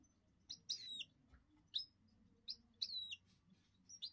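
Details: Goldfinch mule giving high, sharp twittering notes and short descending slurred chirps in quick irregular bursts, about one per second, over a low steady hum.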